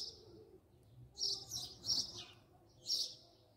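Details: House sparrow filmed at close range, giving a few short, bright chirps in two bursts with a gap between them, against a quiet background.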